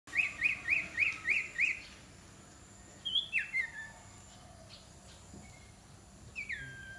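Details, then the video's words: Iora being trained as a decoy bird gives a fast series of six bright, upward-flicking chirps, then, after a pause, a few scattered slurred whistles over a steady background hiss. "นกขมิ้นน้อย ฝึกหัดหัยเปนนกต่อสายโหด สายดุ"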